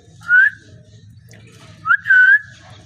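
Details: A parrot whistles twice: a short clear note, then after a pause of over a second a longer, slightly rising whistled phrase, with a low background hum.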